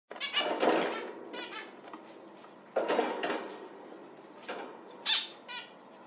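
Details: Zebra finch giving loud, nasal, harmonic calls in irregular bursts, with a fluttery rustle beneath the first two.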